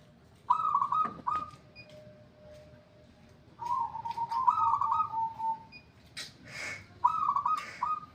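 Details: Zebra dove described as now singing vigorously: soft, burry cooing phrases of rolling trilled notes, heard in three bursts, the middle one longer and wavering, with a brief broad rustling noise shortly before the last phrase.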